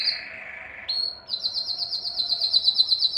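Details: Canary song aimed at mating, with a slurred descending note, a short steady tone, then a quick high trill of evenly repeated notes growing louder.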